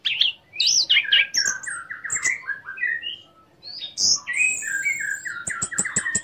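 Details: Lure song of an orange-headed thrush, meant to stir other orange-headed thrushes to sing and raise breeding drive; continuous chain of slurred whistles, chatter and sweeping notes, ending in a long high whistle and clicks.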